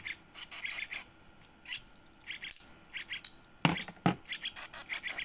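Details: A one-week-old yellow-vented bulbul chick being fed gives rapid, high, scratchy chirps in short bursts, about two a second, with a few sharp knocks and handling sounds.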